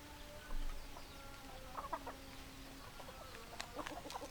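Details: Domestic hens clucking: several drawn-out, steady-pitched calls overlap at the start, then a quick run of short, sharp clucks near the end; no rooster crowing is heard.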